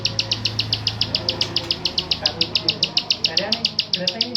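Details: Bar-winged prinia klik call, Mojokerto bird-keeping recording: rapid repeated dry clicks about four per second, slightly uneven in loudness, with a low hum and faint other sounds behind.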